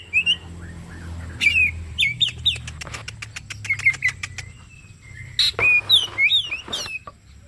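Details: ['Oriental magpie-robin singing as a lure for other birds: brief whistled phrases, then a series of sharp clicking ticks, then harsh bursts followed by slurred whistles.']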